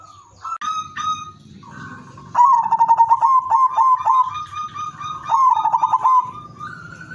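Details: Zebra dove singing as a lure bird to set other doves singing: faint coos first, then two loud phrases of rapid, bubbling, stuttered notes that settle into a smooth, sustained coo, with quieter doves cooing behind.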